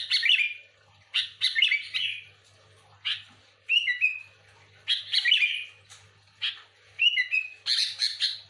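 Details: Sooty-headed bulbul chattering to attract its own kind: grouped bursts of harsh chirps ending in short falling whistles, each burst about a second long and separated by short gaps, over a soft low hum.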